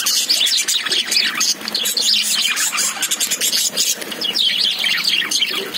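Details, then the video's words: Lovebirds inside a cage give rapid, piercing chirps in quick bursts, many voices layered into an unbroken bright twittering chorus. "Love birds sound"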